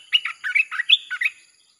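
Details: Red-whiskered bulbul song used to lure wild birds: a short, continuous run of about seven bubbly, whistled notes rising and falling, sung without pause.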